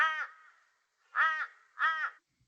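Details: Torresian Crow in Australia giving three flat, nasal, quacking caws, each about half a second long, roughly every second; crows call flatter and quicker than ravens, and this species has a quacking rather than cawing quality.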